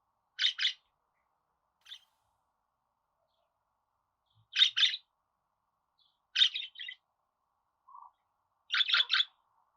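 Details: Sparse budgerigar calls: rough chirps alone or in pairs separated by long silent gaps, ending in a rapid triple burst.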